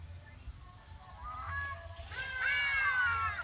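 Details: Grey Crowned Crane foraging and flying alongside ibises gives nasal, honking calls that build into a loud, rich, drawn-out trumpeting phrase, over a low background hum and faint music.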